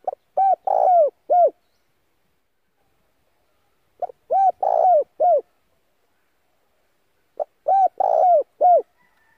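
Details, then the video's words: A decoy spotted dove coos to draw in and excite wild doves, a call also played to train other doves. Three full phrases, one every three to four seconds, each of quick short notes and a drawn-out hoarse coo. "Tiếng cu gáy mồi gáy gọi kích bổi căng lửa"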